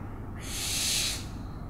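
An owl gives a single harsh, breathy screech lasting under a second, rising and fading like a long hiss, over a low background rumble.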